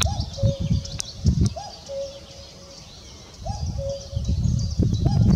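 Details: Common cuckoo giving its classic two-note call, a short higher note dropping to a longer, lower hollow note, heard three times about two seconds apart, over low rumbling wind noise and faint high twittering of other birds.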